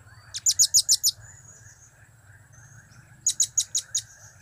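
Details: Blue-crowned hanging parrot giving the cap, kiak and crap call types: two bursts of five very high, sharp chips at a quick steady pace, with a low constant hum beneath.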